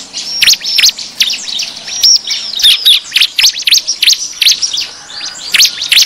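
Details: Bar-winged prinia lure call used to attract wild birds: a lively mix of sharp high chirps and brief whistles, delivered in quick irregular clusters.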